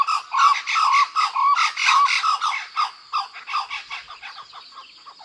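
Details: Blue-winged kookaburras (Dacelo leachii) in the woodlands of Kakadu and Arnhem Land, Australia, give a maniacal, angry-sounding cackling duet: harsh, raucous squawks in a rapid, uneven series, loud at first and then fading away.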